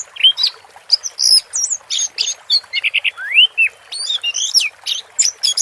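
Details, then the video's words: Orange-headed thrush singing 'teler' with water therapy behind it: continuous varied phrases of bent whistles, a clear rising slur near the middle and quick chattering notes, over faint constant hiss. "Suara Burung Anis Merah Teler"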